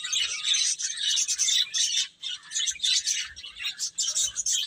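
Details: Chicks eating and playing: a dense chorus of shrill chirps from many baby chickens, pulsing in bursts with brief dips between them.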